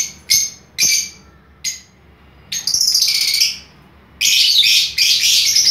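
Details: Several short shrill chirps from lovebirds in a mixed-colour aviary, followed by a raspy rolling chatter and then a loud continuous grating outburst at the end.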